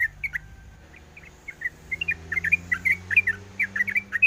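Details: Sooty-headed bulbul female calling the male while in breeding mood: scattered, spaced chirps at first, then a quick run of bubbly notes repeated about twice per second, with a soft low background hum.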